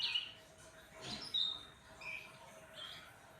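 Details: After crickets and a sunbath, a cucak ranting (black-headed bulbul) sings a few clear whistled notes, one a thin pure whistle, separated by pauses over quiet background noise.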